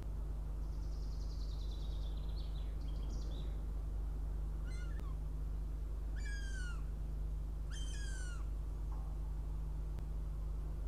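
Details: Northern goshawk fledgling returning to the nest for breakfast, Riga, Latvia, early morning of 23 June 2017; faint high chatter, then three strong plaintive, falling squeals spaced roughly every one and a half seconds, with constant low-pitched hum beneath.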